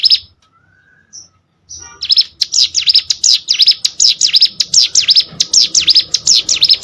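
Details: Hill prinia song meant to tutor contest birds: a few faint high pips and a quiet gap, then an unbroken, energetic stream of piercing, quickly repeated swooping chirps.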